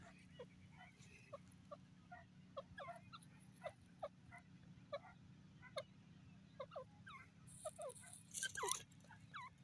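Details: Repeated clipped, downward-sliding francolin notes spaced through the recording, joined by other birds' calls, with a brief rustling burst near the end and a continuous low hum beneath.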